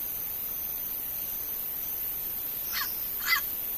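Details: A wild turquoise-fronted amazon gives two harsh, raspy squawks about half a second apart, the second louder, against a steady high hiss.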